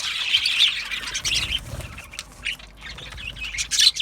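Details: Colony of Australian budgies in an aviary, happy singing and chirping: dense overlapping high chirps and chattering warbles from many birds, rising and falling in busy bursts, with a short quieter gap midway.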